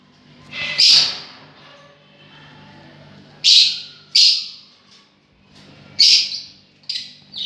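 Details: Sharp, high chirps from lovebirds come singly or in pairs a second or more apart, over a faint steady low hum.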